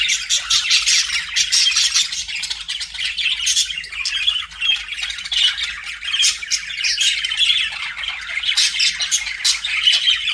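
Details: Budgerigars chattering continuously, dense scratchy chirps and squawks packed between mid and high pitch with no pauses, several birds overlapping throughout.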